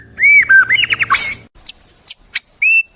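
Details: Short burst of white-rumped shama song for daily training: a loud arched whistle, quick rising notes, then thin high chips over a faint steady high tone.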